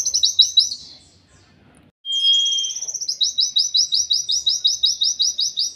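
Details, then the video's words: For tutoring songbirds, an oriental white-eye 'endok tato' song: a quick high chatter fades out, then after a pause a clear flat whistle leads straight into a long trill of rapid repeated buzzy notes. "KILLER ENDOK TATO•MASTERAN BURUNG PLECI LEGENDARIS"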